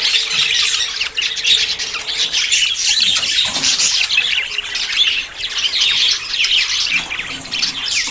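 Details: Budgerigars courting and about to breed: a dense, unbroken flock chatter of high warbles, chirps and scratchy squawks overlapping throughout, with a faint steady low hum underneath.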